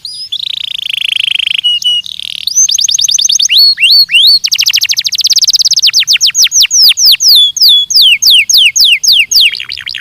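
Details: Belgian canary song from a training recording: a steady high buzzy note, then rapid rolls of repeated notes and a long series of sharply falling whistled notes, roughly three per second, loud and clean.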